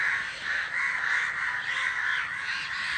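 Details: A flock of crows making noise in flight. A steady wall of overlapping harsh cawing voices runs throughout, with no gaps between the calls.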